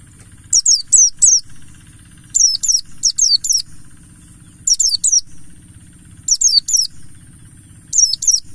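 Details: Mountain white-eye, buxtoni, used as a lure for song: lively bursts of three or four sharp falling whistles, grouped closely with short gaps, atop a continuous low hum.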